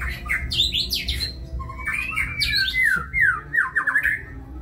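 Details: A white-rumped shama delivers kebyok-style song, mixing buzzy high rasps with rapid, descending whistled phrases repeated in quick succession.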